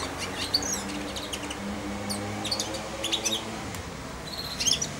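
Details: Caged four-month-old European goldfinch, hand-fed daily, sings its early practice subsong while perched on and beside the feeding hand; soft, scattered high twittering chirps come in brief bursts over a steady low hum.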